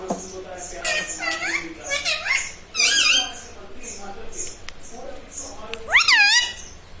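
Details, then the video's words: Pet parrot said to talk, saying "mummy", "papa" and "radhe radhe" indoors; high, wavering harmonic voice-like syllables come in short bursts, with a bright rising-falling call near the end and soft room noise. "Talking mummy papa|| mummy vala parrot || mithu bolo radhe radhe"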